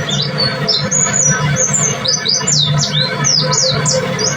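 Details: Pleci dada putih, a white-breasted white-eye, singing nonstop in the rapid tembakan style: dense bursts of sharp high downslurred notes, several per second, with a low droning hum and music underneath.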